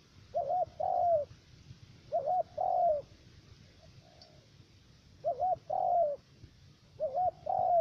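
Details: Decoy spotted dove calling during bird trapping in the U Minh area of Cà Mau, Vietnam. Four paired coos sound across the stretch, each a quick warbled note followed by a drawn-out, slightly descending one. A faint soft note falls midway.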